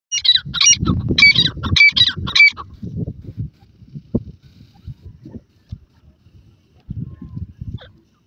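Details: Grey francolin calling: a quick series of harsh, ringing multi-note calls in the first two and a half seconds, followed by low rumbling handling or wind noise and scattered faint knocks.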